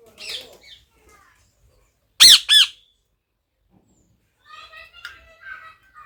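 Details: Parrot with a loud double squawk in the middle, harsh and arched, framed by fainter, softer chattering sounds before and after.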